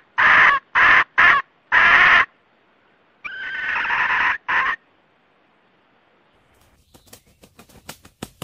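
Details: Male and female red junglefowl calling together to gather the flock: four short, loud calls in quick succession, then a longer call, followed by faint clicking noises.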